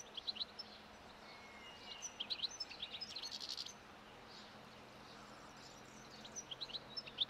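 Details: Wild European goldfinch at a roadside in spring, feeding on thistle seeds; soft high twittering phrases over steady background noise, quieter in the middle before chirps return at the end.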